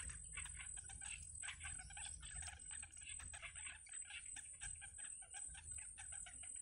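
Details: Yellow bittern nestlings, their mother feeding them, call with harsh overlapping clucks and squeaks in steady quick succession, over a constant high whine and low rumble.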